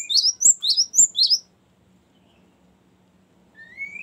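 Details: Cinereous tit long trilled song, used as a lure and training song for other birds: a quick burst of repeated high downslurred notes lasting over a second, then silence and a faint rising whistle.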